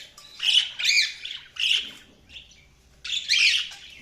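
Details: Budgies giving a run of harsh, raspy chirps and squawky chatter in four or five bursts separated by short gaps, with a faint low hum in the background.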